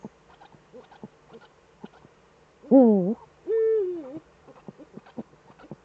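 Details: Both Eurasian eagle-owls back at their Eifel site in Germany, evening of 11 March 2013: a harsh wavering call followed closely by a steadier drooping call, amid scattered soft clicks.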